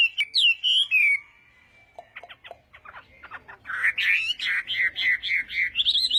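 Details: Hwamei practising contest song in the morning: a few rich whistles, a pause with scattered soft clicks, then a lively burst of rapid, repeated warbled notes.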